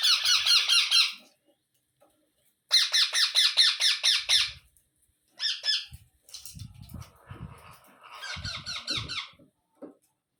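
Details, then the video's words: Baby parrot squawking in bursts: a quick run of harsh calls, a second longer run of rasping squawks, then softer broken squawks mixed with low thuds and rustling. "Baby Parrot Sounds"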